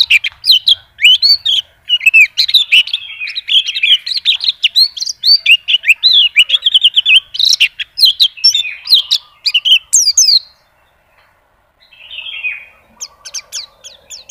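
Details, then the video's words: White-eye pours out a long, dense, twittering warble of tumbling high notes for about ten seconds, then falls almost silent before a short burst of chirping resumes. "PLECI NGACOR ‼️BONGKAR ISIAN"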